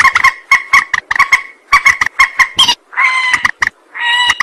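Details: Lure recording of a rail for trapping: a rhythmic series of clipped, nasal clucks, followed by two longer, even-pitched drawn tones broken by single sharp notes.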